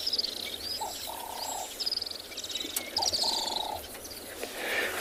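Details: Little swifts at a drinking spot in Tswalu Kalahari Reserve, South Africa, sweeping down to drink at sunrise, giving high-pitched drilling trills again and again, overlapping one another, with hollow low cooing notes from another bird.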